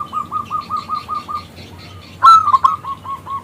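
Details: Zebra dove of local stock calling to draw a male into song: a row of about seven clipped, soft coos, a pause, then a loud whistled rolling burst trailing into more short coo notes.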